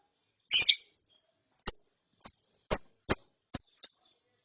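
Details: After therapy, a young lovebird chatters in ngeriwik fashion: one rough double chirp, then six thin, sharp high tics at irregular intervals of about half a second.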